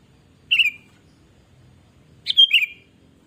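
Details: ['Kutilang, the sooty-headed bulbul, in gacor lure song: two short bubbly phrases about two seconds apart. Each phrase is a quick cluster of liquid, wavering whistled notes over faint low background hum.']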